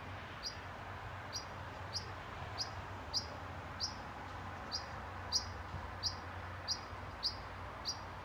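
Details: European pied flycatcher parent alarm-calling to its nestlings in a nest box at Haga nursing home, Sundsvall, 20 June 2023, warning them to stay quiet: single short, sharp, high notes repeated about every two-thirds of a second over steady background hiss.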